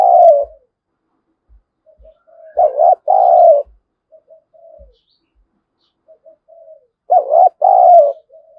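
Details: Spotted dove kept as a lure bird, calling in the 'giọng thổ' voice style to provoke wild doves into fighting; low two-part coos, a short warbled note then a longer falling one, repeated with soft quieter notes between.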